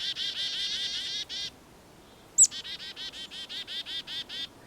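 Black-capped Chickadee alarm: rapid runs of a dozen harsh, buzzy dee notes, split by one sharp high chip, then another long buzzy run.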